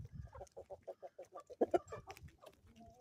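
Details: Morning chickens on a homestead in the Ozarks, a steady series of short clucks about seven per second, rising to two louder sharp notes, then softer clucking and a brief drawn-out note.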